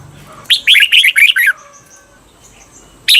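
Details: A caged red-whiskered bulbul sings one quick phrase of six bright, wavering whistled notes lasting about one second, then quiet before the next phrase starts; a training recording for the doubled 'beun' song style.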